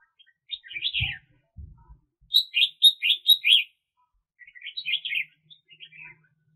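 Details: Red-whiskered bulbul serving as a trapping decoy, recorded 2021: loud, fast series of sharp whistled chirps in clustered phrases, one run of five evenly spaced notes, with a couple of dull thumps early on.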